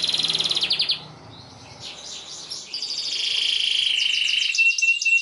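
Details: Canary tutor song for young canaries: a fast buzzy trill breaks off into a quieter muddled pause, then resumes with rolling trilled phrases and a long, clear whistled note to finish.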